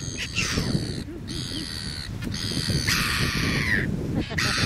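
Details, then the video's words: Red-billed gulls in New Zealand give harsh, screechy squawks in quick bursts of a second or so, with people talking faintly in the background. "Red Billed Gull"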